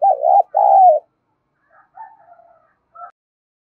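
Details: Spotted dove giving a call meant to stimulate other doves: a strong, low two-part coo, then quieter scattered cooing notes and one short faint note.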